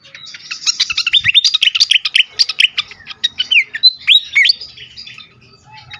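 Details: Agitated fantail, recorded to lure and stimulate other birds: fast run of sharp high chirps and clicks, followed by clear upslurred and rising whistles spaced about half a second apart.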